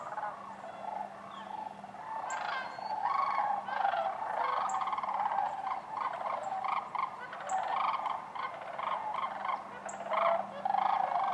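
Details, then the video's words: Sandhill cranes with other waterfowl at Wheeler Wildlife Refuge in Decatur, January 12, 2013: a dense, continuous chorus of overlapping rolling, trumpeting calls from many birds, with sharp higher notes breaking through and a steady low hum beneath. "Wheeler Wildlife Sandhill cranes"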